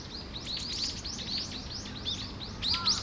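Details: Wild Japanese tit calling at Okurayama Park: a continuous run of sharp, high chirps, several per second, with a brief lower whistled note near the end over faint ambient noise.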